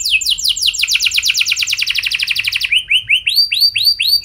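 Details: Canary singing to draw song from other canaries: a rapid trill of falling notes for over two seconds, switching to slower, spaced rising-and-falling whistles.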